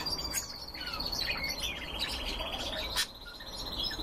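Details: Red crossbills in captivity give quick high chirps and buzzy twittered notes, over a long sustained high whistle that dips slightly and then levels off, with one sharp click near the end.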